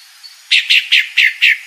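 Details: Calling female pale-breasted thrush giving a short series of five rough, evenly spaced notes in quick succession.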